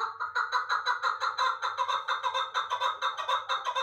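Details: Chukar partridge, an Uzbek-origin bird from last year's brood, caught and kept in Dushanbe, calling loudly in a steady run of throaty, rattling chuk-chuk pulses about two per second, rich and harsh, with a faint low hum.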